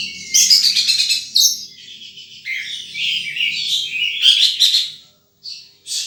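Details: Wild sunbird giving a busy run of high, sharp chirps and twittering notes, rapid and irregular, some slurred downward, with a short pause near the end before a final chirp; faint low hum underneath.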